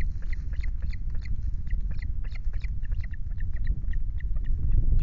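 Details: Osprey at a Loch Garten nest camera with chicks, 5 July, male arriving with two fish: rows of short high chirps repeated several times a second over steady low wind rumble.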